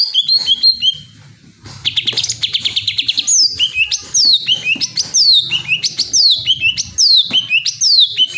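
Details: Greater green leafbird pours out a long song: short whistled phrases, a buzzy rapid trill, then many loud sharply descending whistles repeated about every second over a faint low background hum.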